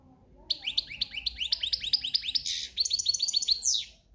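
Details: Breeding-season European goldfinch in countryside singing style, a rapid string of repeated tinkling chirps merging into buzzy trills and ending on a downward slurred note.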